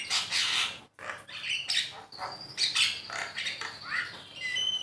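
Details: Javan myna song meant as a training master to encourage pet birds to sing, made of loud grating squawks, clear drawn-out whistles and quick rising slurred notes, closely packed with barely any pause.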